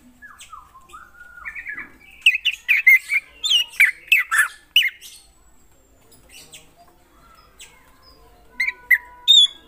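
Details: Drongo of the kind locally called krantil in lively song: a run of falling whistled slurs, then a burst of rapid harsh chatter and squeaky notes, a quiet gap, and a few sharp high notes near the end.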